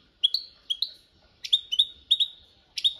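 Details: Goldfinch giving copia malaga training song, a rapid run of bright, slightly rising chirped notes repeated every few tenths of a second, with a faint low hum underneath.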